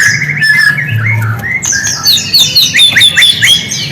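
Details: White-rumped shama song played as a lure for silent birds: smooth whistled notes at first, then a fast burst of high sweeping and trilled notes, over a faint low hum.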